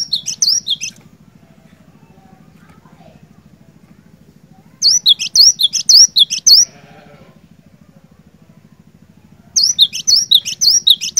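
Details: A cinereous tit in full song, used to prompt quiet birds to sing. It gives three separate bursts of sharp, high, repeated whistled phrases, with silent gaps of several seconds and a constant low droning hum behind.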